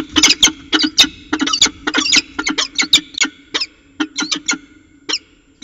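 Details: Two peregrine falcons calling together at their CSU Orange nest site on an evening in December 2018, about 6:45 pm: a dense run of hoarse, scratchy chattering notes, several per second, slowing toward the end over faint background hum.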